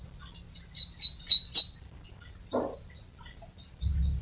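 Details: Fighter canary singing, suited for tutoring other canaries. Four loud quick phrases of high sweeping chirps come in a row, then softer scattered twitters follow, with a brief low thump and background rumble near the end.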